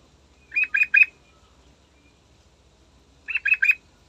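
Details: Energetic morning song of a yellow-vented bulbul used to encourage other birds to sing: two matching phrases of three quick bubbly notes, about three seconds apart.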